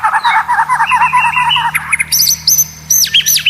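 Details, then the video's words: Competition training material for white-rumped shamas: low chattering notes, then high, ringing whistled upslurs and looping phrases. "Masteran murai batu; Full materi Suara aneh kuasai gantangan"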